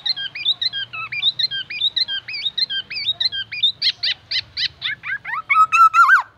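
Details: Black-naped oriole in full song, mimicking oriental magpie-robin phrases: fast runs of clear, rising-and-falling whistled notes, then louder separated slurred notes and a final downward-bending whistle, about twenty notes in six seconds.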